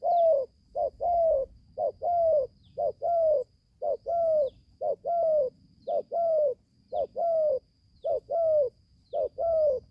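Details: Spotted dove, a young bird newly calling, out in the forest for its first training session: steady, rhythmic coos, a brief note then a longer downward-sliding hoot, about one pair per second, with a faint continuous whine.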